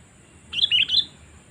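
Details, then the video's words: Lure call of a sooty-headed bulbul meant to attract wild birds for trapping: one short bubbly phrase of three bright, quick notes, slightly rising at the end, against a quiet background. "Suara Panggilan Kutilang Memanggil Burung Liar"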